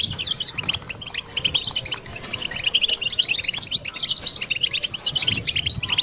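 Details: European goldfinch song played to stimulate other goldfinches: dense, rapid twittering and tinkling notes, high and continuous throughout, with a low rumbling background.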